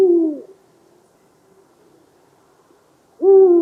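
A Eurasian eagle-owl gives two deep, booming hoots about three seconds apart, each short and slightly falling, with quiet in between.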